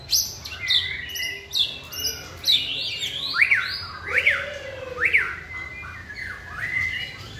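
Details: White-rumped shama, a caged bird taken out for singing training and hung on a pole. It gives rising whistled notes about every 0.8 seconds, then sharp rising-falling whistles, with a lower drawn-out slurred note underneath.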